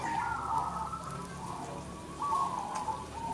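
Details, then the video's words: Zebra dove, a local crossing bird, singing at a perkutut competition. Two rolling, vibrato coo phrases that dip in pitch, separated by a short pause, over steady low background rumble. "Lomba Perkutut Lokal Croosing Gacor an Dan Rajin Bunyi || Merbok Turtledove Zebradove"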